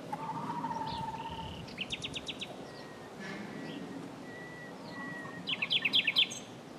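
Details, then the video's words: Singing common nightingale delivering a varied phrase: a long, level low whistle, then a quick burst of sharp clicking notes, thin sustained tones, and a closing run of loud, rapidly repeated high notes. "BEST NIGHTINGALE SONG,Nachtegaal -Common Nightingale singing,BÜLBÜL SESİ DİNLE"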